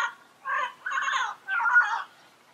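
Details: Yellow-headed amazon calling three times: rough, drawn-out, burry squawks each about half a second long, with short pauses between, against a quiet background.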